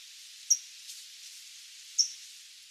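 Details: California Towhee in a Sonoma County backyard, a ground-dwelling bird, gives two sharp, high, metallic chinks about a second and a half apart, likened to a fire alarm needing its battery replaced, over a soft hiss.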